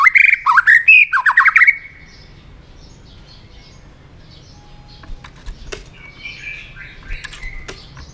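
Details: White-rumped shama urged into fight-singing delivers a quick series of slurred whistles and rattles, followed by quiet clicks and faint distant notes.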